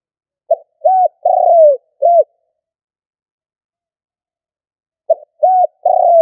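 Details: Spotted dove used as a decoy bird, giving the stuttering 'cà lăm' coo style: a few short clipped low notes then a longer drawn-out falling coo, the phrase repeated after a few seconds of silence.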